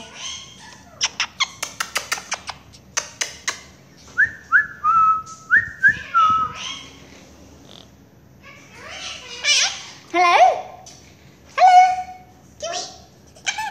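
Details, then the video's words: Monk parakeet kept as a pet, calling for its owner as 'mommy': rapid clicks, several rising-then-falling whistled notes, and scattered chattery syllables indoors. "Quaker parakeet ...calling mommy"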